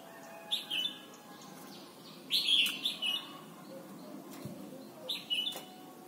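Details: Red-whiskered bulbul in Thailand singing, used for training young birds to sing: short bright warbled phrases about every two seconds, three bursts in all, over a steady low background hum.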